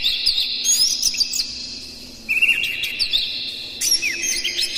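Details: Lively morning song of an Oriental magpie-robin, rough varied material intended to prompt captive birds to sing: dense, high whistled and buzzy phrases, a brief dip in volume, then renewed rising and falling notes.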